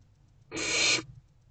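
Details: Hungry barn owl owlets in a nest box, waiting for their mother to return at 6:00 pm on 3 March 2024, give a single harsh, broadband hissing screech lasting about half a second, against a quiet background.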